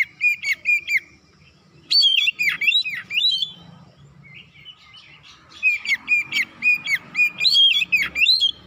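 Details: Oriental magpie-robin lure song for provoking birds: three loud bursts of varied whistles and dipping slurred notes, separated by a quieter stretch of soft twittering and low background hum.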